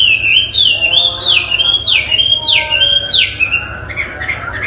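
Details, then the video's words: Chinese hwamei, a cage bird, singing clear loud whistles: level notes broken by sharp downward slurs, repeated about once a second, fading into softer trailing notes. "Hwamey Wambi gacor isian istimewa"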